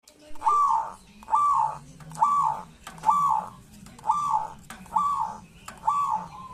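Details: Local zebra dove in Indonesia, kept as a lure bird to stir silent or reluctant doves into singing; regular phrases of hooked, whistled notes near one pitch, repeated about once a second, over a low hum.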